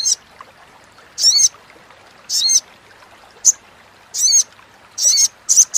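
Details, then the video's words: Little spiderhunter chattering call for training competition songbirds: short sharp high buzzy notes given singly or in pairs, spaced roughly a second apart, against a quiet, clean background. "SUARA CRECETAN SOGON"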